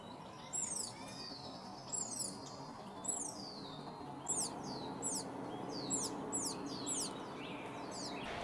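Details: Young wild turkeys in California's Sierra foothills, USA, calling with bright, high, falling peeps, often doubled or tripled, in loose bursts about every second, above a soft rushing background.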